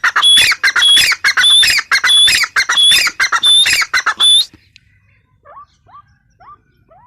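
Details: Female grey francolin, known locally as teetar, calling: a rapid series of harsh, squawky notes with a thin high whistle over each, repeated roughly twice a second for four seconds, then a few faint, short upward-bending notes.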